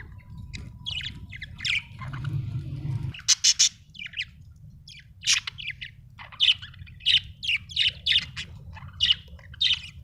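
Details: Budgie chirps come as scattered bright, scratchy notes, sparse at first, then a livelier string of short chirps in the second half, with a low background rumble throughout.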